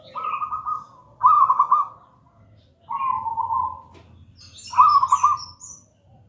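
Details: Local wild-bred zebra dove singing in gedang rojo style, used as a lure and master song for doves not yet singing: four trilled, purring coos near one pitch, each about a second, with faint higher chirps of another bird.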